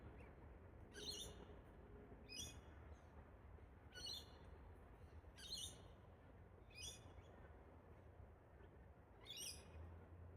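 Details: Wild pair of Australian Galahs, also called Rose-breasted Cockatoos, high in park trees during a bonding ritual; six short harsh screechy bursts, spaced about one to one and a half seconds apart, over a low steady rumble.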